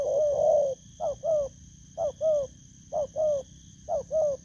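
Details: A wild-caught spotted dove opens with a long rolling coo, then gives four evenly spaced two-note coos, short then slightly longer, roughly one per second, with a soft continuous high hum.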